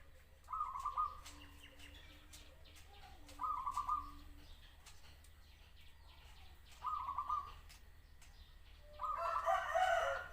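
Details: ['Zebra dove singing a series of rapid, stuttering trilled coos, four phrases about three seconds apart, with faint softer chirps between them and a low constant hum underneath.']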